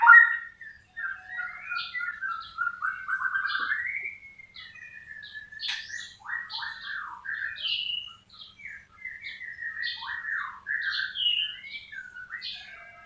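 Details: White-rumped shama in full song: long whistled glides and slurs followed by rapid, varied, repeated phrases and sharp notes, loud and continuous in a quiet setting.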